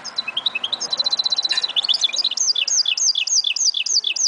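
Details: Goldfinch mule song from 2011: quick high twitters and a brief fast trill give way to a run of clear, arched whistled notes repeated roughly every half second.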